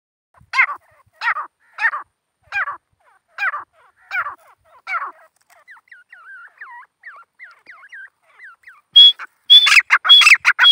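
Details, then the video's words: Grey francolin gives seven harsh, ringing notes at a steady pace, then softer hooked whistles, ending in a loud burst of mixed, noisy sound. "teeter boli karte hue"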